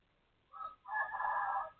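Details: A rooster next door crowing around noon (12:12) on 23 January 2025, heard as a brief harsh first note, a short gap, then a long, strong, raspy sustained cry holding steady before breaking off.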